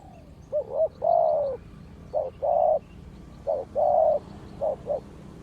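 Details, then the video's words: Spotted dove, a decoy bird answering wild doves: low cooing phrases of two short rising notes and a longer drawn-out coo, repeated about every 1.5 seconds, with faint higher chirps of other birds behind. "เจ้าGR นกป่าดุมาก เสียงดี มีคารม มีเปลี่ยน มีหนุน"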